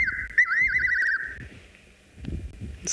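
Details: At night on a South African game reserve, engine off, a Fiery-necked Nightjar gives a clear whistle breaking into a fast tremulous warble lasting about a second, then quiet with faint low rustles.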